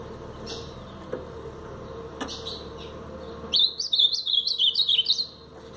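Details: Ultramarine grosbeak in the Paraná pardo song style: a few faint, scattered notes, then a crisp, loud phrase of about eight rapid, slurred whistles, each swooping down and up, over nearly two seconds.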